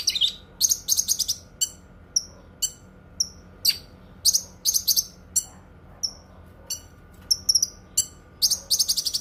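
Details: Cucak kinoi singing, a song offered as a master for training other birds and for therapy: rapid bursts of high buzzy notes alternate with isolated thin descending whistles, repeated steadily throughout.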